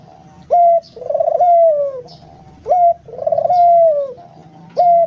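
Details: Spotted dove calling: low cooing phrases near the bottom of its range, a short abrupt coo followed by a longer drawn-out coo that slides slightly downward, the pattern repeating about every two seconds, with faint higher chirps behind.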